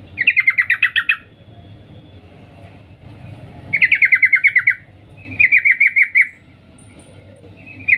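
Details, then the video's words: A female sooty-headed bulbul calling for a male gives three fast chattering bursts of repeated 'cuk' notes, each about a second long, spaced by gaps of one to two and a half seconds. "Suara trucuk Betina memanggil Jantan Cuk cuk"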